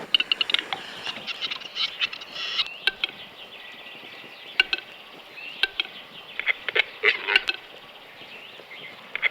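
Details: Western Capercaillie display at a lek in Norway, very early on a cold morning with several females present: sharp, dry clicks spaced a second or two apart, with scratchy, hissing whetting notes between and other birds chattering faintly behind.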